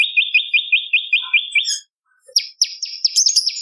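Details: Bar-winged prinia song used to train and lure songbirds. It opens with a regular series of sharp, upslurred chirps, pauses, then switches to quicker, higher, buzzier notes.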